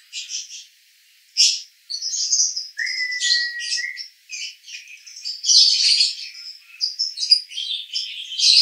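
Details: Male lovebird from Cibinong, Bogor, singing broken phrases of squeaky chirps and twitters with a drawn-out lower whistle, shifting between short bursts and pauses.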